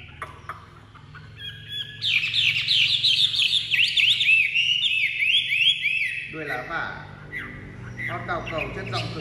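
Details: A captive Chinese hwamei just out of its travel box bursts into loud, varied whistling, with quick downward-sweeping notes tumbling one after another for several seconds before fading into softer, lower mixed sounds.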